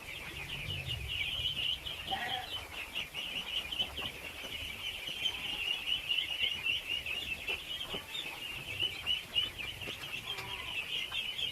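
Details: A huge flock of ducklings feeding, their high-pitched peeps merging into an unbroken, shimmering chorus, with occasional brief lower squeaks and light rustling underneath.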